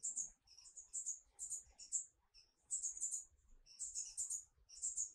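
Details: Marvelous spatuletail, an endangered hummingbird endemic to Peru, giving very high, thin squeaky chips in quick bursts, some doubled, with brief pauses between clusters; otherwise quiet.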